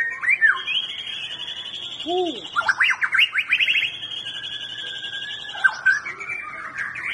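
White-rumped shama singing a rich, varied run of clear whistles: long sustained high notes, a burst of fast rising-falling sweeps, and a few low mellow hoots.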